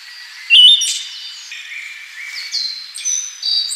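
A Siberian thrush gives a sharp, high note, then a series of thin, sustained whistles at shifting pitches, with other birds faintly in the background.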